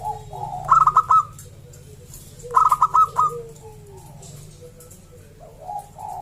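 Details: Strong-voiced local zebra dove whose song serves to invite other zebra doves to sing; two loud choppy bursts of rapid ringing coo notes nearly two seconds apart, each with a falling tail, then a softer coo at the end.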